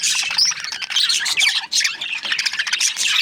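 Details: Budgies chirping in a short burst of crowded chatter, with sharp squeaky notes and scratchy squawks tumbling over each other, barely dipping at mid-point.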